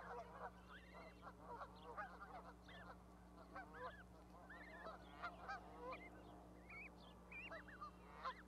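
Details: Baby goslings with their mother on an osprey nest platform at Charlo, Montana, on May 12, 2020: many soft, rising-and-falling peeping whistles, overlapping and continuous, over a steady low hum.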